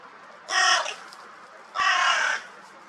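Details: Crows in a pair, one scolding another that misbehaves by pushing in; two loud, harsh, rasping caws, each about half a second long, separated by a pause of roughly one second, over low background noise.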